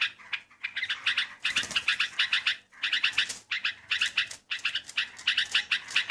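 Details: Sooty-headed bulbul, melodious song used to lure birds: bursts of rapid, bright stuttering notes, each about a second long, separated by brief gaps, with a soft flutter-like sound near the start.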